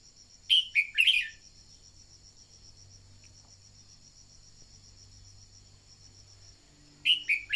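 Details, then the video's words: Red-whiskered bulbul decoy bird singing, a recording used to spur other birds into song: a quick phrase of three bright whistled notes, a long pause, then another phrase, over a steady high insect-like trill. "Luyện giọng chào mào mồi-kích bổi mau hót"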